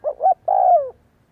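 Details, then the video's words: Spotted dove decoy giving one clear coo: two short rounded notes followed by a sustained, gently falling note lasting about half a second. "Cu gáy kích bổi / chim cu gáy kích bổi gáy cả ngày /tiếng chim cu đất gáy kích bổi tập mồi hiệu quả"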